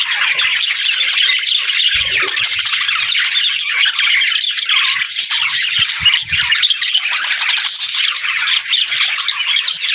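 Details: Budgerigar chatter described as talking and singing: busy, high-pitched warbling and harsh squawks run together without a break, several birds apparently calling at once, with a few soft low knocks near the start and middle.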